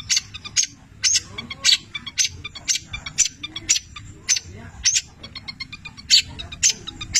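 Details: Long-tailed shrike (cendet, 'petir' type) singing actively, its song filled with imitations of labet and canary songs; sharp high chirps in quick bursts about twice a second, over a low background hum.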